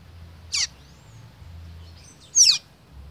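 A Blue-grey tanager gives two thin, squeaky, high notes about two seconds apart, each sliding downward. A faint low hum sits underneath.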